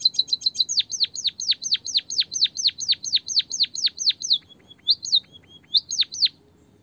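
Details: White-headed munia song used as a lure to stimulate singing: a quick burst of high ticks leading into a long run of loud, sharp downslurred chirps, ending with a few scattered thin notes and chirps.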